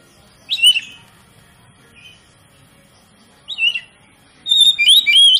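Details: Oriental magpie-robin singing to provoke other magpie-robins into full song: short bursts of bright whistled slurs separated by pauses, ending in a longer dense run of clear rising and falling whistles.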